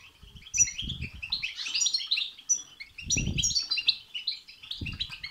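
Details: Goldfinch singing the bitbita and sitsita styles, used to stir a goldfinch to sing; fast chattering twitter with sharp high whistled notes and buzzy phrases throughout, broken by a few dull low bumps.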